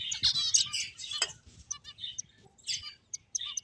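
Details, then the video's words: Finches at play give quick bursts of high, twittering chirps, then scattered single clicks and short notes with brief silences between them. "Cute Birds Chirping Sounds | Beautiful Finches Playing"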